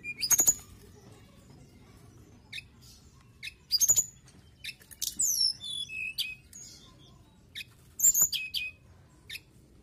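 Mountain tailorbird giving very high, thin whistled notes and sharp ticks in short bursts every two to four seconds, over a faint low hum.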